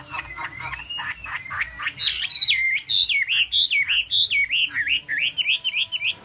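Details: Chinese hwamei singing a run of slurred whistles that climbs from mid to high pitch, then breaks into quick, bouncing repeated notes about twice a second, loud and clear throughout.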